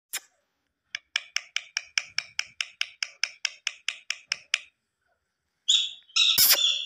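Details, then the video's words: A talking pet Indian ringneck parakeet gives a quick run of about sixteen bright, clipped chirps, roughly four a second, then breaks into a harsh, raspy screech. "What A Beautiful Talking Ringneck Pet Parrot"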